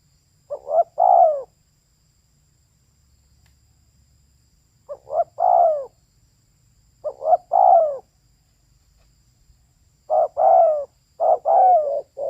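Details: Female spotted dove giving soft double coos separated by long silences. The last phrases come faster and more broken, with several short notes bunched before the drawn falling coo.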